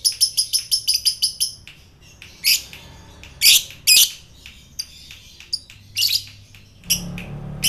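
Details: Fighter lovebird used to provoke other fighter lovebirds: a quick train of high chattering notes, then loud harsh squawks and scattered sharp chirps with short silences.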